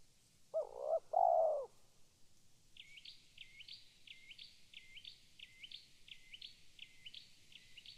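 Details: Spotted dove giving one cooing phrase, a short clipped note then a longer soft coo. It is followed by another bird's thin, high chirps repeated roughly every half second.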